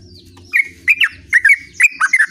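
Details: Sooty-headed bulbul singing in the lively rolling style called gacor ngerol: a few short, bubbly, warbled notes in quick pairs, dipping and rising in the mid range, with faint lower hum in the background.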